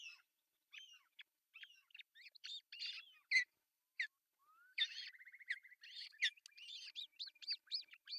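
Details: Nest-camera recording of an osprey on an artificial nest in Pohjois Satakunta, Finland, 10 June 2024, as the male arrives with breakfast fish. Thin chirps build into rapid piping runs and a fast rattling series of high, whistled notes.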